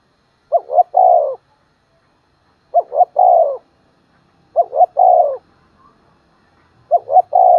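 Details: Decoy spotted dove calling in the morning to attract wild doves. It repeats its phrase four times, about every two seconds: a quick double coo, then a long, slightly falling husky croo. The last phrase is cut off.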